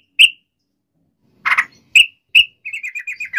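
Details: Yellow-vented bulbul in a lively lure recording meant to make other birds sing back: a few bright, bubbly chirps with short pauses between them, one harsh burst, then a quick run of rolling notes at the end.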